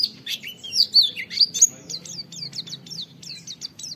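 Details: Sung by an oriental white-eye as a tutoring recording for other white-eyes: a few loud swooping whistles open the phrase, followed by a steady series of quick, thin downslurred 'wit' notes, about one and a half per second.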